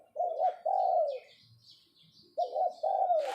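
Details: Captive spotted dove used as a decoy, calling with a low, mellow coo; two pairs of rounded, slightly falling coos separated by a pause of about a second, with faint high chirps of other birds behind.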